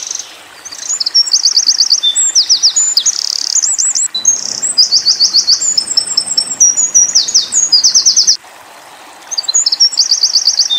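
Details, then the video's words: Long run of Eurasian wren burst song used to tutor young white-eyes: shrill, very fast trills, rolled loops and sharp whistles pour out, with two short breaks between loud bursts. "Tembakan Winter Koning / Wren"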